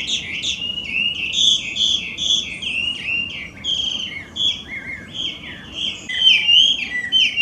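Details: Wild introduced Chinese hwamei, an invasive species in Japan, singing very loudly: rich, varied whistled phrases flowing without pause, with slurred notes and repeated rising-falling motifs about once a second.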